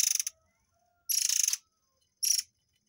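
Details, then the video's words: Murai air singing the 'tembakan air mancur' (fountain shot) style, a recording used to train white-rumped shamas: three short, harsh, buzzy rattling bursts of rapid pulses, the middle one longest, with clean silence between. "TEMBAKAN BURUNG AIR MANCUR / MURAI AIR"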